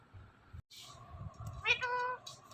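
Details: Pet Indian ringneck parrot talking: a loud, buzzy, harmonic-rich word lasting about half a second, with a person's voice repeating words before and after and low household background noise.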